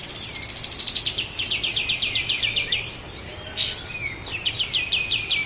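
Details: Sooty-headed bulbul from Lahat, a master recording for training cage birds: long fast series of bright, evenly spaced chirps, then a short pause and a few clipped downslurred notes, with a sharp noise burst in the middle.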